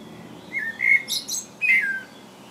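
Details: Common blackbird singing in England: two mellow, fluting whistled phrases, each dipping and levelling out, with a burst of thin, high squeaky twittering between them, over a quiet background.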